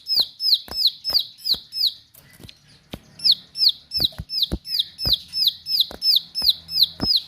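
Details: Energetic, sharp song from a bar-winged prinia. Piercing downslurred notes are repeated rapidly in steady runs, with a brief gap after two seconds. Loud clicks punctuate the series, and a low hum sits underneath.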